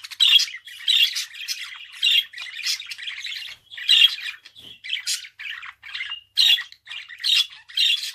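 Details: Budgerigar singing in an irregular run of loud rasping squawks separated by quieter chirps and twitters, a brief dip in sound midway before the chatter resumes.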